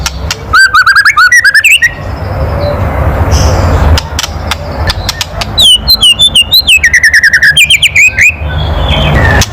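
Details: Kretekan of a White-rumped shama meant to make other birds sing: a quick chattering burst, a pause filled with hiss, then a longer sequence of rapid slurred notes running to the end.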